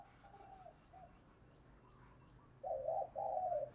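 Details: Spotted dove cooing, played to stimulate a newly caught caged dove to call. Faint soft coos open the recording, then after a quiet gap come two loud, clear, low cooing phrases in quick succession.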